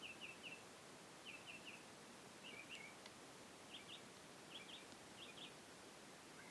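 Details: A mockingbird mimicking crickets, birds and frogs sings faint, high chirps in quick sets of two or three, switching to a new phrase about every second over a steady outdoor hiss.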